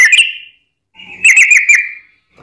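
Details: Sooty-headed bulbul, played to prompt others to sing: two bursts of bright, sliding whistled notes separated by a short pause.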